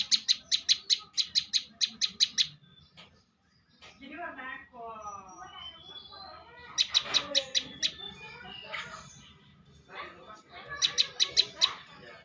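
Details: Bar-winged prinia singing in competition style, bursts of quick high staccato chips separated by a pause with other varied warbling and trilled bird sounds in between.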